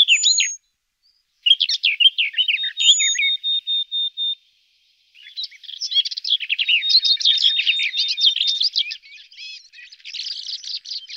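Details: Garden warbler singing two bursts of hurried, bubbling warble with a high thin whistle at the start and a pause between phrases, the second phrase long and sustained.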